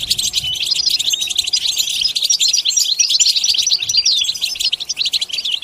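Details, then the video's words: Goldfinch delivering a rapid, scratchy twitter of bright high notes and quick trills, with faint low rumbling at the start. "Comprehensive guide to stimulating and singing the goldfinch"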